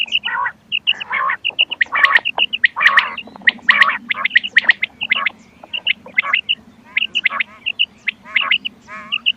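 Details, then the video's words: Quail call recording of the ghungay wal type, played to lure birds for hunting: harsh, rasping bursts about once a second, mixed with quick high paired chirps throughout. "گھونگے وال کیسٹ بٹیر کی آواز شکار کیلئے quail bird sounds for hunting bater ki awaaz"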